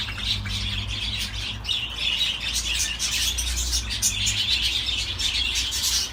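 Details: Budgerigar warble: a continuous stream of rapid chirps, clicks and squeaky notes with brief pauses, a low steady hum in the background.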